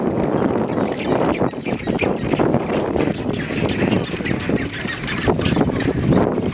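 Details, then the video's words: A Magellanic penguin colony on Isla Pingüino near Puerto Deseado, Santa Cruz, on 18 January 2013. Many birds give loud, hoarse, honking brays that overlap into a thick, steady wall of sound. "Pingüino patagónico (Spheniscus magellanicus)"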